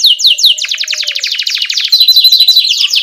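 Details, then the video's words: Energetic canary rolling song, 'ngerol' with 'cuit cuit', for coaching young birds: a loud continuous rapid trill of sharp falling notes, with a thin high whistle running through the middle. "Pancingan Kenari Gacor NGEROL Cuit CUIT"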